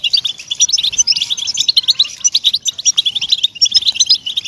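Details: European goldfinch singing, played to motivate captive goldfinches: rapid sparkling twitters and buzzy trilled notes in a continuous lively stream, loud and close.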